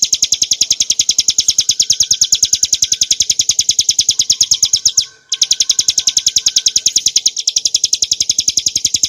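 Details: Hill prinia song for training caged birds, made of fast, sharp, high chirps in a relentless even series, with one short silence halfway through.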